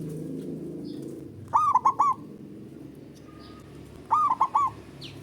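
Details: Zebra dove male calling in ngerot ngoar style, used to boost mental state and mating drive of a reluctant caller: two short stuttering phrases of four rapid throaty coos each, a couple of seconds apart, with soft background noise.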